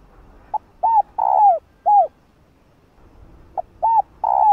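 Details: Female spotted dove calling to stir up a male: two cooing phrases, each a short soft note followed by three low, hollow, downslurred coos, the middle one longest, with a brief pause between phrases.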